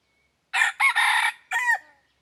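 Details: A decoy red junglefowl crows to attract wild birds. The crow is four-part: a short burst, a second quick note, a drawn-out middle note, then after a pause a final note that drops away, with nothing else audible.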